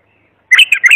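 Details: Bulbul delivering a pure song phrase used to tutor young birds: rapid, rich whistled notes rolling up and down, a bright warble cut off after half a second, no background noise.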